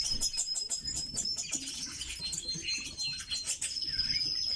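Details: Red-billed leiothrix, kept as an exotic bird, singing: rapid high chirps and warbled whistles packed together, with a steady thin high tone running through, over soft low rumbling noise and a few wing flutters.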